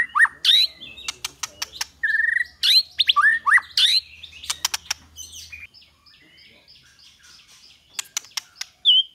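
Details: White-rumped shama singing a training recording in the 'kéo thuốc lào' and 'giọng dây' styles. Rich, varied song of swooping whistles and upslurred notes mixed with sharp clicks, with a faint low hum in the first half.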